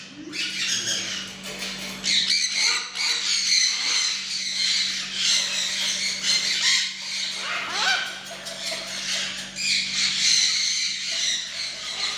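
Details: Fully tame macaw, said to be ready for training, uttering loud, grating squawks in near-continuous bursts, with brief pauses between volleys and a constant low electrical hum in the background.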